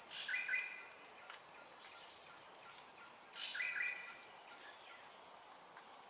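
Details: Newly fledged Crimson Sunbird chick, Singapore, giving regular calls to signal its whereabouts to its parents, fed by its mother. Two bursts of quick stacked chirps are heard about three seconds apart, with a steady shrill cricket hum throughout.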